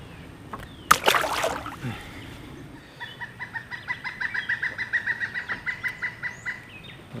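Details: A very large Pileated Woodpecker near West Point, New York, on the Hudson gives a loud, ringing series of about twenty even notes, quick and steady for several seconds, after a burst of flapping or splashing.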